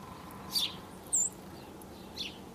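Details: Dark-eyed junco giving three brief, sharp, very high chip notes, unevenly spaced across a couple of seconds, over faint steady background hiss.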